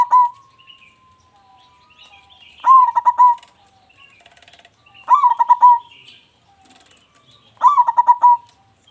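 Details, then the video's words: Local zebra dove, an actively singing bird with a big voice, kept as a lure to set other birds singing. Three cooing phrases, each a rising opening note and a fast run of pulsed coos, come about every 2.5 seconds. Faint high chirps sound behind. "perkutut lokal gacor suara besar"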